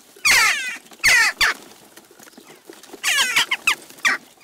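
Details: Western jackdaws in numbers at a garden bird feeder in Recke, Germany, June 29, 2021: loud, harsh, squeaky 'kyak' calls in clusters, two early, then a rapid run of four near the end.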